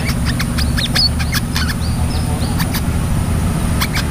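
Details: Brown-throated sunbird in lively song: thin, high chirps and short slurred whistles scattered through the clip, some rising, over a loud steady low mechanical hum.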